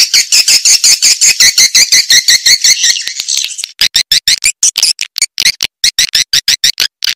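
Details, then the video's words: Swiftlet calls used to call in and attract swiftlets to farm houses: a fast train of buzzy, rasping chirps at about three per second, then a choppier series of sharp clicking chirps with brief silent gaps. "Suara Walet"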